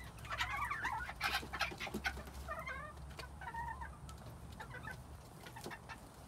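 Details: Quails in spring 2021 give a quick series of chirpy, wavering calls in the first three seconds, then quieter scattered chirps over a low hum and occasional clicks.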